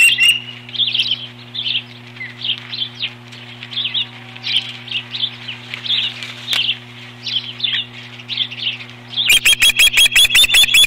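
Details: Osprey guarding its nest from an intruder, 21 April 2015: regular series of short high whistled notes repeated about every half second, ending in a rapid run of sharp pulsed calls, with a low hum throughout.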